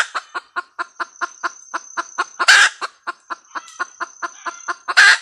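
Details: Cackling red junglefowl hen: evenly spaced sharp clucks, roughly four per second, with two loud broadband squawks bursting through, and a faint steady high whine underneath.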